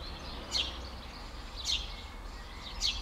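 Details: An excited Eurasian tree sparrow (Passer montanus) alarm-calling at its nest in Skřivany, Czech Republic, on 11 May 2015, giving short, sharp chirps about every second over a low rumble of wind or distant traffic. Eurasian tree sparrow.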